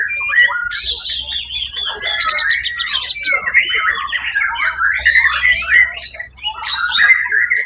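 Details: A white-rumped shama that won first prize in a singing contest held on 1 October 2023 pours out fast, varied whistled phrases, rattling bursts and rolling warbles with barely a pause, over a faint low hum.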